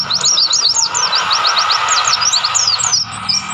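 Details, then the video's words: Wild mountain white-eye song from Mount Lawu, Tawangmangu: a lively series of high, thin chirps slurring downward, evenly spaced and rapid for about three seconds, with a continuous background rush. "pleci gacor gunung Lawu Tawangmangu"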